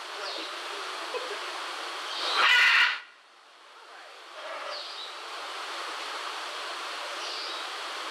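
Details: At Central Park Zoo, New York, a red-and-green macaw, noted as calling very loudly, gives one harsh, grating squawk lasting under a second, over steady hiss with a few faint high chirps from other birds.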